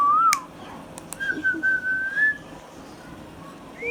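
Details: Pet Indian ringneck parakeet, green and hand tame, gives a brief rising whistle, then a long, thin, level whistled note with slight wavers, followed by quiet and a faint rising whistle at the end.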